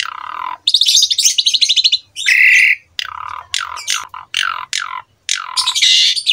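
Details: Jalak suren (Asian pied starling) master song for juveniles: a low note, a buzzy chattering trill, a loud harsh squawk, then a series of falling squawky calls.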